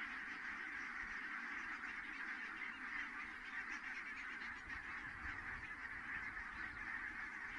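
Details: Large flock of geese landing at Kulgur, Estonia, on 4 May 2018 at 17:58, producing a dense, continuous wash of distant honking that blurs into a steady murmur.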